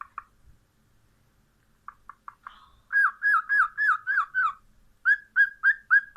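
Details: Cockatiel calling: scattered short chirps, then a loud rapid series of rising-falling warbled whistles repeated about every third of a second, ending with another run of similar curved whistles.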